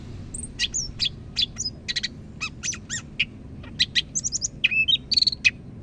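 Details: Greater green leafbird from Medan, North Sumatra, singing eagerly: fast series of sharp high chips and trills, ending in whistled slurs, clean over a quiet background.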